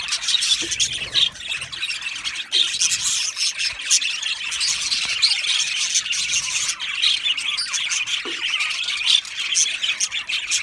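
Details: Aviary flock of budgerigars, a steady wall of overlapping high chirps, squawks and squeals running throughout, with a few short lower sounds in the background.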